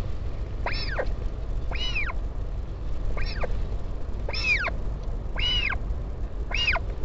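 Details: A northern royal albatross parent visiting at the Taiaroa Head colony near Dunedin, New Zealand, on 16 July 2019 gives six nasal, arching whines about once a second, each rising then falling, over steady low wind rumble.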